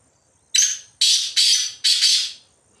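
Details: Black Francolin roaming free in the jungle, giving a harsh, grating call of five rasping notes: one, then two linked pairs, over about two seconds. The background is quiet.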